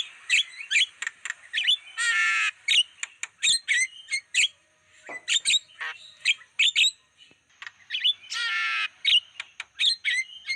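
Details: Javan myna lure recording for drawing in wild birds, full of quick clicks and chirps, with two harsh raspy bursts about six seconds apart between clusters of short whistled notes.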